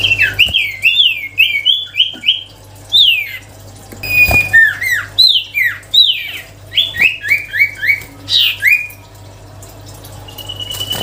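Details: Lively melodious sirtu song: long series of quick, sweeping whistled notes in rhythmic bursts, each phrase of several hooked notes, ending with a thin steady whistle and quiet background.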